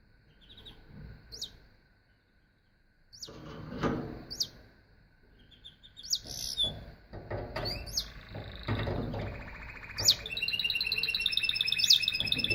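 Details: Canary singing: scattered sharp upswept chirps and short notes with gaps, then a fast buzzy trill building near the end, with some low background noise and thumps.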